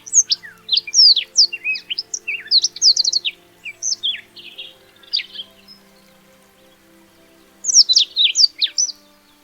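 A Black-throated Canary sings a rapid, high, sweet warble of twittering notes and trills, pausing briefly before a second burst; a faint low hum runs beneath.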